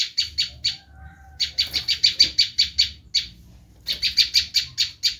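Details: Bar-winged prinia giving its screaming call, used to lure wild prinias: rapid bursts of harsh, buzzy scratchy notes, about five per second, in three runs split by short pauses, with a faint low hum beneath.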